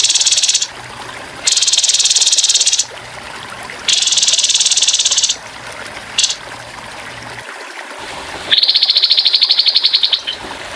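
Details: Birdsong training recording of a grey-headed babbler's rough rapid-fire song with running water. Several broad, buzzy high bursts of one to two seconds repeat, then a clean rattling trill at a steady pitch closes.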